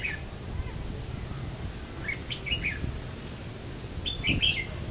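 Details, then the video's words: Trap-decoy red-whiskered bulbul calling rival birds in, 5 July 2016; a few sharp twittering phrases in pairs, partly masked by loud hissing cicada-like insect noise. "Bẫy đấu chim chào mào"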